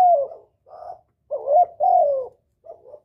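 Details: A spotted dove gives a lure call to attract a male. One falling coo is followed by a soft murmur, then a hooked coo and a long descending coo, and a faint final note.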